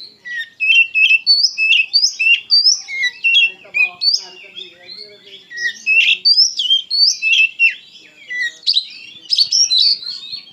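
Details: White-rumped shama, a kacer, in loud, emotional full song: rapid varied whistled and chattering phrases, many notes repeated about three per second, sliding up and down with sharp clipped accents and scratchy elements.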